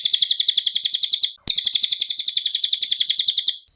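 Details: Cililin song used as a training recording for captive songbirds: a fast, bright, high chattering trill of evenly repeated notes, about four per second, broken by a short pause and a sharp click before resuming.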